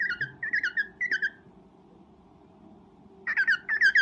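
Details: Mating call of a breeding cockatiel: a quick string of bright, slurred chirps, a pause of about two seconds, then another fast, louder chirping run, with a constant low hum behind.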